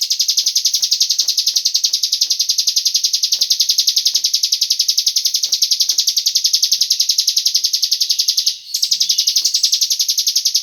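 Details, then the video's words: Cigun bird calling as a lure so other birds join in: a continuous high buzzing trill of regular pulses, nearly three per second, with one brief dip late on. "Pancingan burung cigun agar ikut bunyi"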